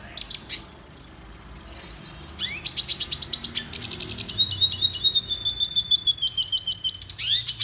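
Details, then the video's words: Red siskin song for training, a long run of rapid high buzzy trills and twittering phrases, the notes repeated several times a second and shifting pitch between bursts, with short downslurred whistles between phrases. "Canto Pintassilgo venezuelano - Red Siskin The BEST Song Training"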